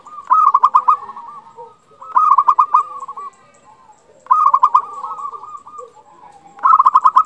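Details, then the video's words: Vocal local zebra dove, used to excite quiet or stressed doves and prompt rivals to reply. Four bright phrases, each a quick run of pulsed coos trailing off into a softer warble, about two seconds apart. "Perkutut lokal gacor Naikkan birahi bikin lawan cepat nyaut"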